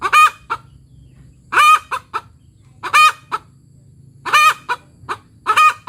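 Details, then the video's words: Village chicken hen cackling "tok tok petok", a call given after laying an egg: loud harmonic nasal notes in bursts roughly every one to one and a half seconds, each a strong arched squawk trailed by short clucks, over a faint low hum. "Suara Ayam Kampung Betina Tekotek "TOK TOK PETOOOK""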